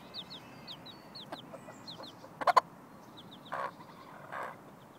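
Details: Mother hen with her chicks, teaching them to look for food: chicks' high, downward-slurred peeps in quick runs, a sharp burst of clucks near the middle, then two softer, broader clucks.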